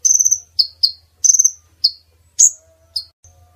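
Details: Call of a female brown-throated sunbird played to lure males near for trapping. Two pulsed, buzzy high trills alternate with crisp high chips in an irregular sequence, with a soft low hum behind.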